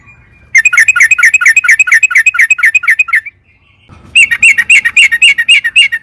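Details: Sooty-headed bulbul in lively 'gacor' song used as a lure for caged birds: a rapid stream of bubbly, slurred chirps lasting almost three seconds, a short gap, then another quick chattering run.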